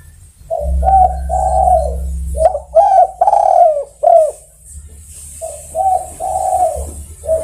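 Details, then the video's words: Spotted dove (tekukur) calling other birds with repeated low, mellow coos, a cluster of short punchy notes in the middle, then a calmer series of rounded coos over a steady low hum. "Sudah Teruji Tekukur Memanggil Kawan"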